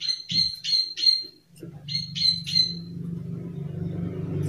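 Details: A Plain Prinia of rice fields, used as a lure bird, gives harsh, buzzy "klik" clicking notes in two quick bursts of three, with a low rumble of background noise.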